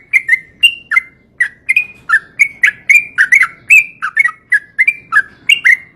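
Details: Rapid ropel-style song of a yellow-vented bulbul, meant to get reluctant birds singing. Short bubbly warbled notes follow one another steadily, some rising and others falling, over a soft low background hum.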